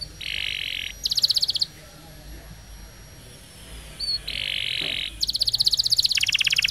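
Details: Canary singing a training roll song for young canaries: short bursts of rapid, evenly pulsed buzzy trills separated by quiet gaps, with a faint thin whistle in between.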